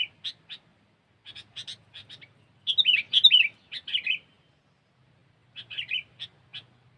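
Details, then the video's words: Kutilang, sooty-headed bulbul, lure song in cengkeram style: scattered sharp chirps building into a fast, bubbling run of slurred whistles, then easing into spaced chirps and a short warble, in a quiet setting. "Suara Burung Kutilang"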